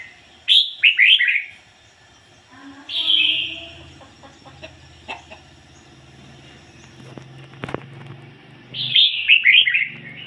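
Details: Red-whiskered bulbul decoy singing ngoi bổi style. Rapid chattering whistle phrases come at the start and end, with a longer slurred note between them, and faint low rumbling and clicks in the background.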